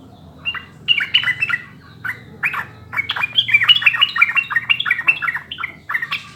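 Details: Sooty-headed bulbul song used as a master recording to get caged birds singing: bubbly, gurgling phrases of short fluty notes, rising and falling, growing denser and faster midway.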